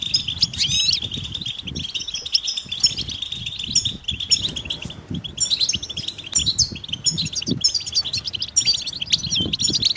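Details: European goldfinch mating calls meant to push silent males into song: busy high-pitched twitter of rapid chirps and buzzy trills from several birds, over soft low rustling and knocking.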